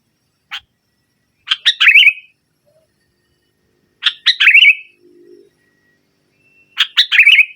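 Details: Lively kutilang, the sooty-headed bulbul, singing in nggaruda style to stir a silent bird. A lone sharp note, then three spaced phrases of harsh notes rolling into bubbly warbles, with a faint low buzz midway.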